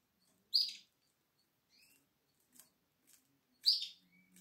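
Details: Seven-day-old Atlantic canary chick in the nest, eyes not yet open, giving two short, high, hissing begging calls about three seconds apart, with faint soft peeps between them in a quiet indoor space.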